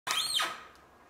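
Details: An American flamingo (Phoenicopterus ruber) at the Lagunska ribogojnica nature reserve on 17 March 2023 gives a single harsh, nasal, goose-like honk lasting about half a second that drops in pitch at the end, followed by faint background hiss.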